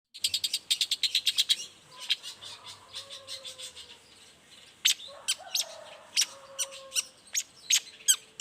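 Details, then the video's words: Long-tailed shrike singing in the morning as a lure to draw other shrikes into answering: a fast burst of sharp high ticks, then scattered loud clipped notes with short pauses and faint softer chatter beneath. "Suara cendet gacor Pagi Hari pancingan jitu BIKIN cendet diam langsung nyaut ikutan bunyi"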